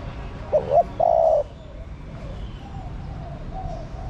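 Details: Spotted dove female cooing to stir a male: one phrase of two quick rising notes and a drawn-out level coo, then quiet rural background with faint distant bird notes.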